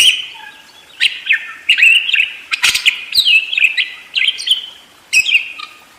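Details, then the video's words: Budgerigar warbling in fast bursts of twittering, squeaky notes and clicks, starting after a quiet second and carrying on in short, busy phrases. "SUARA BURUNG PARKIT ‼️ NGEROL DERES GACOR DOR"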